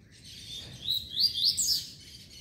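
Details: Coleira (double-collared seedeater) aged five months and twenty days giving a brief, high, rapid warbled phrase of sweeping whistled notes that rise and fall, with faint low background noise.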